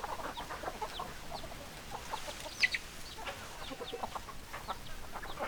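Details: Chicken clucking sounds soft and somewhat distant: many brief, quick clucks from several hens, with one slightly louder note near the middle.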